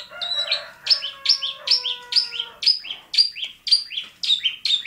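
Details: Long-tailed shrike singing at Bobotsari. It gives sharp, falling, high chirps about twice a second, with a steady lower whistled tone running under the first half.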